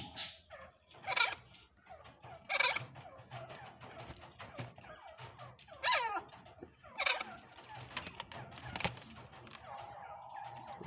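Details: A farmed Iranian francolin (teetar) in Pakistan in breeding season, an aggressive, angry male whose female sits on about eight eggs, gives harsh, scratchy bursts every one to three seconds, with a hum near the end.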